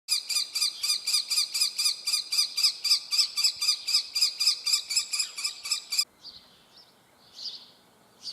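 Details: Young common kestrel begging: a fast, regular series of shrill, harmonic-rich notes, roughly four per second for six seconds, then stopping, followed by faint softer calls and quiet background.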